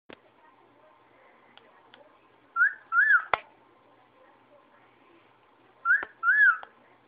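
A cockatiel whistles two short phrases of clear, arching notes, each followed by a pause.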